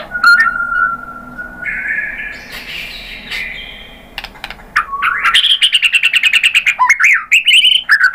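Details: White-rumped shama song luring other shamas into singing: long steady whistles rising in steps, then a quick series of sharp repeated chips ending in upswept notes.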